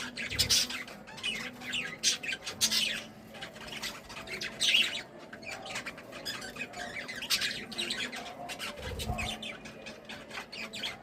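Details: Budgies in a cheerful mood keep up rapid scratchy chirps and short squawks, clustered in loud bursts about every two seconds, with a low hum and a soft thump near the end.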